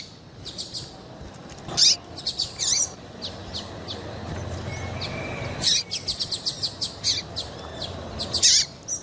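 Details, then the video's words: Female double-collared seedeater piping to prompt males to sing: bright, high chirps in loose clusters, a louder burst near the start and another near the end, with steady low background hiss. "PIADO DE FÊMEA PARA DEIXAR SEU PAPA-CAPIM DOIDO PARA CANTAR LOGO!"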